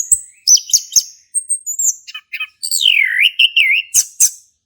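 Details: Male orange-headed thrush singing, meant to prompt a non-singing thrush: high thin whistles and clicks lead to a long, dipping, slurred whistle, then sharp high notes.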